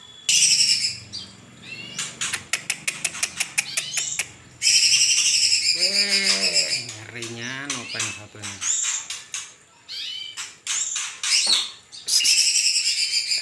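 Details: Greater green leafbird from Kalimantan in lively full song: loud rapid sweeping whistles and chattering trills, with bright high notes and a run of falling harmonic-rich calls in the middle.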